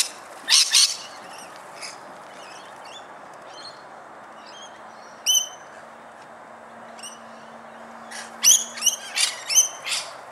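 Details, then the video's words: Australian rainbow lorikeets feeding, giving shrill, rasping screeches in short bursts, then a rapid run of harsh notes near the end, with softer chips between and a faint low hum. "Birds Feeding Sound Australian Rainbow Lorikeet PERICO AUSTRALIANO ARCO IRIS"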